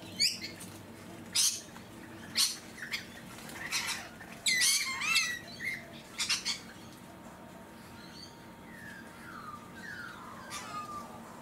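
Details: Harsh, grating screeches from a rainbow lorikeet on Queensland's Sunshine Coast, March 2022, come in short bursts every second or so, followed by quieter sliding whistled notes near the end.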